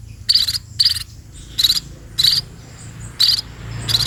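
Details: Sparrows at feeding time utter six separate loud, scratchy begging notes, spaced roughly half a second to a second apart, over a steady low background hum.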